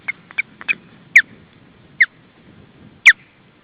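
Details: Young osprey at the nest, August 2012, around its first flights: a few quick clipped chirps, then three loud, piercing downslurred squeals spaced about a second apart, against faint low background hum.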